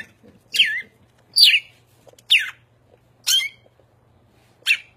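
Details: A cardinal perched on someone's shoulder sings five loud slurred whistles, each falling steeply in pitch and spaced roughly a second apart, over quiet indoor background.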